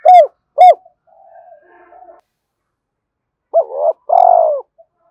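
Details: Spotted dove calls for luring and training decoys: two short loud coos, soft quiet murmuring notes, a pause, then a doubled coo and a long vibrating coo ending with a faint final note.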